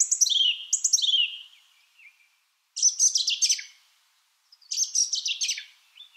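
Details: Song thrush song: high, bright phrases of rapid descending whistled notes, each phrase repeated with short pauses, on a clean, quiet background.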